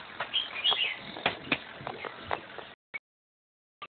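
Black-crested bulbul giving a quick run of bright, chirpy whistled notes for under three seconds, then two brief isolated notes after a pause.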